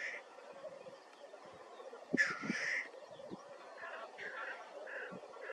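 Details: Black grouse, North Wales, 9 May 2024: soft distant bubbling underneath a harsh, sneezing hiss burst midway, followed by a few shorter breathy hisses.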